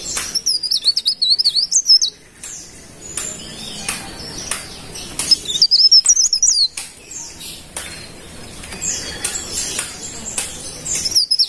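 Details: Golden-bellied gerygone (cikrak daun) repeatedly singing high, tinkling wavering phrases, two prominent ones near the start and middle, with scattered sharp clicks and softer chirps in between.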